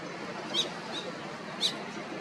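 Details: A dark brown leucistic Australian pied oystercatcher on Cairns Esplanade, Queensland, in mid-June 2023 gives two sharp, high piping notes about a second apart, with a fainter note between, over a steady hiss of surf or wind.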